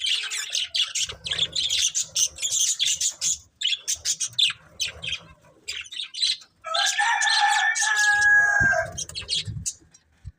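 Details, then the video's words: Breeding pair of budgerigars chirping: dense bursts of high, scratchy chatter broken by short pauses, then a longer warbling phrase with some tonal notes, plus faint low rumbling noise. "Cute Budgies Chirping Sounds | Love Birds Breeding Pair"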